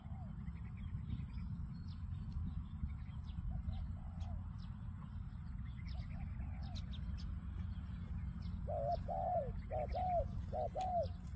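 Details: Spotted dove giving a run of low, hollow, arched coos repeated roughly once a second near the end, after fainter cooing; high thin chirps from other birds and a steady low rumble throughout.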